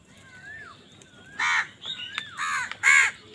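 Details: Angry crow competing with wild birds for food: three harsh caws in quick succession after a slurred whistle from another bird, with further whistles between the caws.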